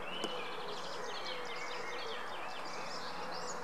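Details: Greylag goose goslings at the Munich Botanical Garden give a stream of thin, high peeping notes, several overlapping and repeated rapidly, over a steady low background rumble.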